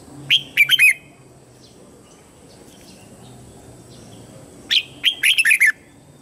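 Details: Red-whiskered bulbul used as a lure bird, singing to call wild birds in to fight: two short bursts of bright, warbled chirps, rising then falling, separated by about four seconds of quiet.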